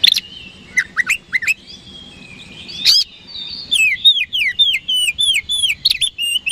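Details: Oriental magpie-robin in strong, lively song aimed at provoking rivals into answering: sharp cracking calls and soft warbling lead into a long run of repeated falling whistles, roughly eight to ten notes.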